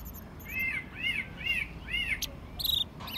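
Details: Caged American robin, raised by hand from a chick, singing in spring in Mexico City, recorded March 2020; four slurred whistled phrases near one pitch, each about half a second apart, then sharp high chips and squeaks.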